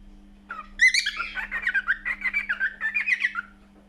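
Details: A cockatiel sings a rapid chattering warble of squeaky notes and sliding whistles, running continuously for roughly three seconds before trailing off.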